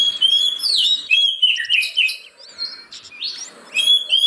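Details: Oriental magpie-robin song for prompting reluctant caged birds to sing, with loud clear whistled slurs and warbles opening, softer twittering in the middle and a bright rising whistle at the end.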